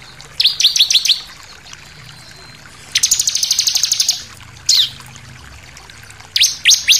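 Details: Bar-winged prinia lure song for provoking other birds to sing: a short series of five high chips, a pause, a buzzy rattling trill, one steep downslurred note, then more quick chips.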